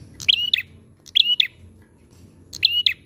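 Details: Brisk, repeated prenjak chirps from a prinia: three bursts of buzzy clicking around a short even whistle, spaced irregularly over a faint hum.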